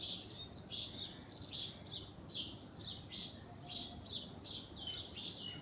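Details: Alexandrine parakeet in an orange tree producing rapid, overlapping raspy screeches, high and grating, several per second in bursts, over a noisy background.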